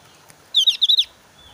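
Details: Javan grey-throated white-eye in breeding condition and highly agitated, singing a merged challenge call at rivals rather than whistling; one loud, quick burst of five high, sharp notes.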